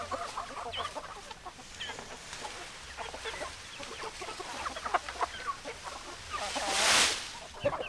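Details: A flock of hens clucking: a dense run of short, clipped clucks, roughly three to four per second, with a brief burst of hissing noise near the end.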